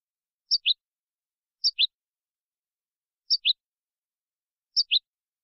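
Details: Goldfinch copia malaga recording used to teach young birds: a crisp two-note call, high then lower, repeated four times at steady intervals of over a second.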